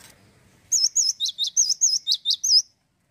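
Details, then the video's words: Male cinereous tit singing vigorously and nonstop, unedited: one burst of about nine high, sharp notes, wavy whistles alternating with quick downward strokes, delivered evenly over two seconds, then silence. "GACOR TANPA PEMANIS BUATAN,GELATIK BATU JANTAN LOSSDOL"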